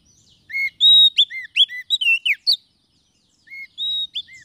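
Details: Kacer (Oriental magpie-robin) lure song for trapping wild birds and prompting reluctant ones to sing: a burst of clear steady and arched whistles with quick chips, a pause, then a few more sweet whistled notes.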